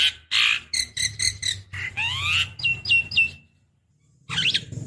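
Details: Javan myna calls used as a lure for other mynas: harsh chatter and evenly repeated short notes, a rising nasal whine, three falling whistles, then a pause before a twittering burst over a low hum.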